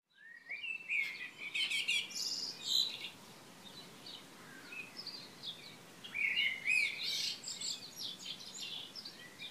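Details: Wild birds singing on a June 3, 2015 morning in Šilo on Krk island, Croatia: a mix of high chirps, whistled phrases and trills overlapping from several singers, with quieter gaps between bursts.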